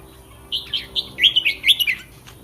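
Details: Red-whiskered bulbul kept in a cage ahead of a singing contest, giving one quick run of clear, warbling whistled notes that tumble up and down over about a second and a half.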